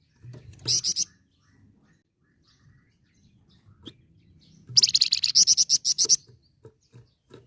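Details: Flamboyan (red-fronted serin) in full chattering, rolling song used to tutor other birds: a short buzzy burst early, a long quiet pause, then a dense rapid trill of high buzzy notes for about one and a half seconds.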